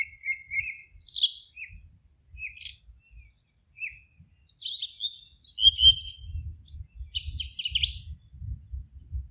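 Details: Several birds singing in a forest, trading short high chirps and brief twittered phrases with gaps between them; a low rumble joins in the second half.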